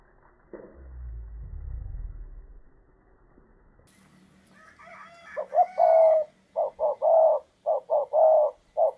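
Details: Spotted dove used as a perched decoy to lure a wild dove: after a few seconds of low rumbling, a run of deep, hollow coos begins, short notes grouped in quick bursts of three or four.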